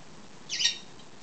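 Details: Pet lovebird, a two-year-old female asking for a head scratch, gives a brief, scratchy, high chirping squawk in two quick pulses, softer than a full shriek, with faint room noise around it.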